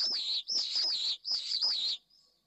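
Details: Pallid swift pair returning to their nest in Jerez de la Frontera late in the evening, after the female laid her first egg overnight, giving three shrill, buzzy screams in quick succession, each about half a second long and wavering in pitch.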